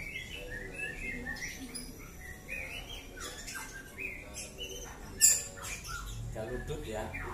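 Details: Young caged white-rumped shama, five months old and of Bahorok stock, repeating clear whistled notes with rising and falling slurs, then one piercing high note, while a man talks close by near the end.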